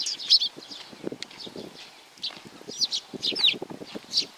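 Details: Sparrows gathering to be fed at a Tenmangu shrine on Nakanoshima, June 7, 2020, giving scattered short, sharp chirps every half second or so over soft rustling and low background murmur.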